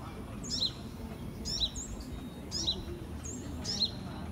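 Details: Fledgling sunbird in 2018 calling with four crisp high-pitched chirps about once a second, each a short falling note, faint soft whistles between, over a quiet low background noise.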